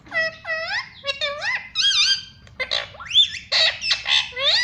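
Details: Talking pet parrot in a small room mimicking speech, including mummy and papa, with a steady stream of bright, harmonic, bending syllables, some swooping upward, delivered in rapid chattering bursts.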